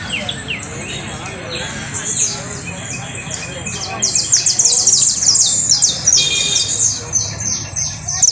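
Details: Canary trill beginning with sparse high chirps, then building into a loud, dense rolling run of very fast repeated high notes, fading into softer chips.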